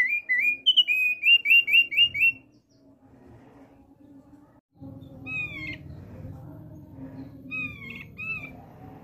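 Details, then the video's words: A male thick-billed white-eye sings a fast series of about eight ringing whistled notes. The song then stops, leaving low rumbling background noise, with a few faint whistles later. "OPIOR PARUH TEBAL JANTAN LAGI NGOCEH"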